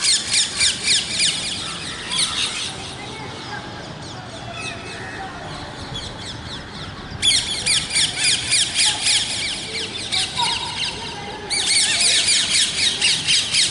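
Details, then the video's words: Grating parrot calls in pulsing waves, about four notes a second, a quieter stretch giving way to abrupt louder bursts at seven and eleven seconds. "Natural Parrot Voices"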